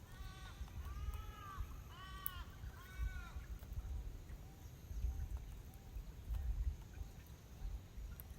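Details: Pacific black duck preening and resting by a lake in Woromi Country; a burst of five loud, arched, harmonic nasal calls in the first three seconds, then softer, fainter calls over a low rumbling background.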